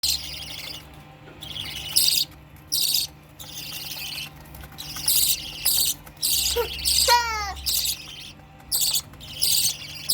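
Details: Budgerigars being fed give bursts of harsh, scratchy chirps, with one brief run of clearer, stepped tonal notes.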